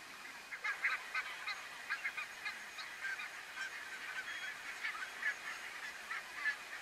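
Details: Cackling Geese (Branta hutchinsii hutchinsii) give a busy chorus of high, squeaky yelping honks, many overlapping calls in quick succession, at Strijen, Netherlands, in February 2018.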